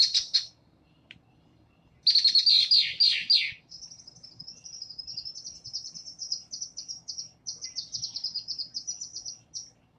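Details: A female Red-winged Blackbird's chatter song in a marsh: harsh, buzzy bursts, then a long, fast run of high, scratchy chit notes. Several dozen notes come in quick succession.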